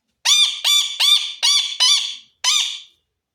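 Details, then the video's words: Indoor pet parrot uttering a quick series of six scratchy, buzzy chirps, each brief and evenly spaced, with the last set apart after a short gap. "parrot Chirping Sound"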